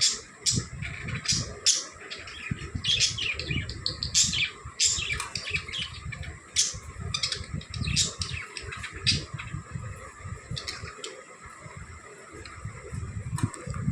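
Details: Pet budgerigars at playtime chirp busily, a run of quick, scratchy, high notes from several birds at once.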